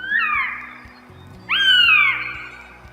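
Northern Goshawk giving two loud, drawn-out, wailing calls that slur downward, a pause between them, over soft background music.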